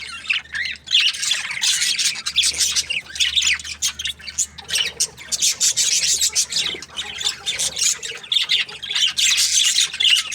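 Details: Many budgerigars chattering nonstop in an aviary, a steady dense wash of buzzy, scratchy high chirps and warbling notes throughout.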